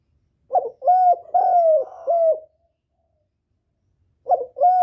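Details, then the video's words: Spotted dove lure calls meant to draw in a male: a run of four hollow, throaty coos with slightly falling tails, then a pause and the start of another phrase; quiet otherwise. "Tiếng chim cu gáy gọi kích bổi, gọi trống cực hay"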